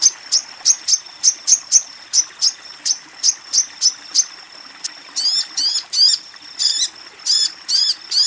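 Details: Female Crimson Sunbird summoning a male: a quick run of sharp, high ticks gives way to slower, slurred, buzzier chirps in the second half.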